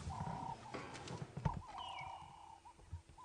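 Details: A ring-necked dove perched above the road on an early-morning safari drive on 19 August 2016 gives mellow, level cooing notes in short bursts, throat puffing, over a steady low engine rumble, with a brief thin whistle from another bird.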